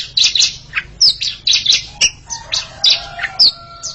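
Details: A pair of Oriental magpie-robins singing against each other: bright, high whistled notes and sharp chirps in quick, varied bursts, with some lower sustained whistled tones toward the end.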